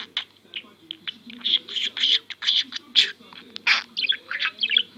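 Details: Pet budgie that mimics coughing, sniffing and the Turkish phrase "küçük oğlum" delivers a quick string of gravelly, chirpy talking syllables, roughly several per second, over a soft low hum.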